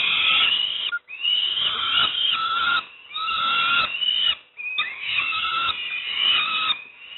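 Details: Peregrine falcon nestlings, Moszna, Pruszków area in Poland, receiving breakfast: rasping, nasal begging wails repeated in several sustained bursts of about one to two seconds each.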